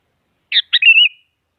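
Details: Sooty-headed bulbul song used to provoke a rival and get a silent bird singing: a short bubbly phrase of two quick burry notes, then a clear warbled whistle that trails off, with clean silence around it.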